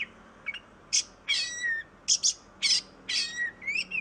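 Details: Magpie-robin singing as a lure for birds that are lazy to sing: loud scratchy bursts, each often followed by a clear falling whistle, repeated with gaps of about half a second.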